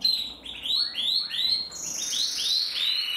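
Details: Song of a male canary bred in the Loisachtal: a rapid run of repeated upward-sweeping whistled notes, overlapping and bouncing, followed by longer descending glides.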